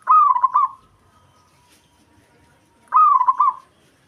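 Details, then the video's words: Local zebra dove from Java in song meant to rile a rival: two bubbling, trilled coo phrases nearly three seconds apart, quiet in between. "Perkutut Lokal Ampuh Buat Emosi Lawan"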